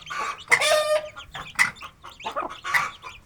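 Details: Aseel hen feeding with her chicks in a village yard, uttering short, harsh, nasal clucks in quick bursts roughly every half second, while faint high chick peeps sound between them.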